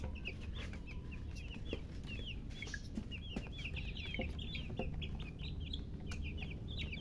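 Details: Chicken chicks chirping: a steady stream of high, short peeps with rising or arched shapes, several overlapping, repeated many times per second over a constant low rumbling background hum.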